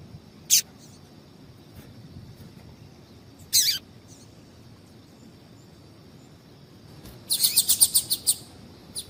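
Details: Double-collared seedeater female giving calls meant to make a male start singing: an isolated high chip, a second a few seconds later, then a quick run of about six bright notes near the end.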